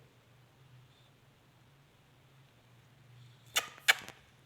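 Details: Quiet indoor room tone with a low steady hum, broken near the end by two sharp clicks or knocks; no animal voices are heard.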